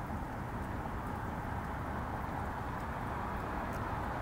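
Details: Dense steady broadband rumble and hiss after sunset, with no calls from any animal.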